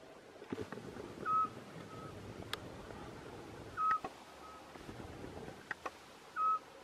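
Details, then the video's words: Eurasian scops owl (Otus scops) calling at night at Arneiro, Nisa, Portalegre: a single short, pure whistled note repeated every 2.5 seconds over a quiet background with faint clicks. "Otus scops calling"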